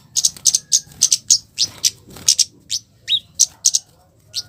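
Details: Red-capped flowerpecker giving a harsh provoking call meant to make other flowerpeckers respond: rapid bursts of high, sharp chit notes, mostly paired, repeated several times a second with brief gaps.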